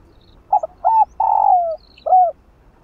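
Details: One phrase of spotted dove kích bổi coo, played to spur hesitant doves into cooing: two quick clipped notes, a rising hoot, a drawn-out buzzy descending coo, then a brief curved final note. Faint high chirps sound behind.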